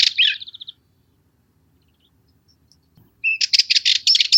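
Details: Cyprus Warbler: a scratchy phrase ends in a short falling rattle, then silence. A clear whistled note opens a new burst of fast, harsh chattering notes.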